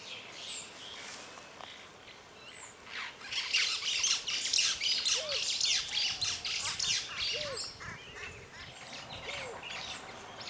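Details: African jacana calling; loud dense chattering bursts of harsh, buzzy notes repeated rapidly for several seconds, with scattered short whistled notes and other birds calling around it.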